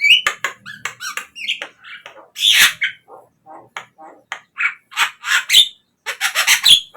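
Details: Captive-bird lure recording of Javan myna song, a rapid jumble of scratchy chatter, short whistles and squeaky rising notes, with brief pauses between phrases.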